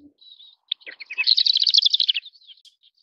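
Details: Sykes's short-toed lark giving a few scattered single chirps, then a dense, rapid chattering run of high notes lasting about a second, fading into faint thin notes; background otherwise quiet.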